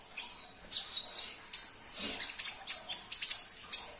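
An olive-backed sunbird gives very high, thin, sharp chirps and short twittering bursts, about two each second, with no other sounds behind.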